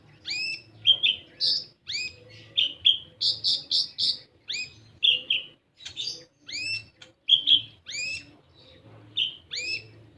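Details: Olive-backed sunbird, local name kolibri ninja, singing as a lure for untrained birds: a lively, continuous series of shrill rising chirps and flatter buzzy notes, fast and uneven in rhythm, above a faint low hum.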